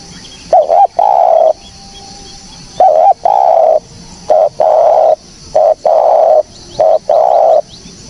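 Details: Spotted dove with a clean, clear recording used as a lure for bird trapping. Low, mellow cooing phrases: a short double note, then a long sustained coo, repeated in bursts separated by pauses.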